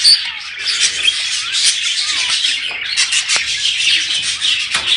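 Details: Budgerigar chatter used to encourage budgies to mate, a steady mass of high, scratchy warbling and squeaky chirps from several birds overlapping without pause.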